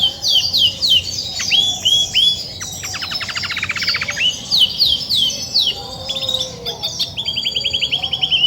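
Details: Female Belgian canary, grey and white, in brooding-readiness song: bright upswept whistles, then a long rapid rattling trill, followed by chirps and a fast high trill at the end; low background hum.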